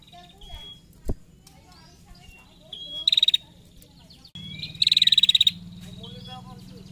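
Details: Ngetir trill of a female prinia, played to provoke other prinias to sing: a sharp click, then two bursts of fast high ticking, the second longer, with brief thin whistles and a louder low humming background in the second half.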